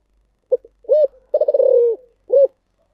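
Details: Spotted dove, thổ sấm voice style, cooing up close: two clipped notes, a full rounded hoot, a drawn-out throbbing coo falling in pitch, and a closing hoot. No background noise.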